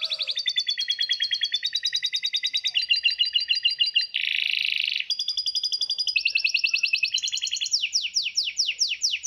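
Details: Songbird chatter for masteran training, full tembakan: long strings of fast repeated notes in changing blocks, one harsh buzzy burst in the middle, and steep downslurred whistles at the close.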